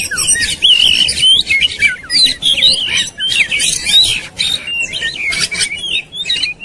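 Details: Fighting, agitated white-rumped shama with its tail spread: loud clear whistles sliding up and down, mixed with rapid chatters and clicking bursts, phrases following each other without pause.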